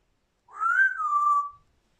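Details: Grey parrot making a single pure whistle that rises gently, then slowly falls away over about one second, in a quiet room.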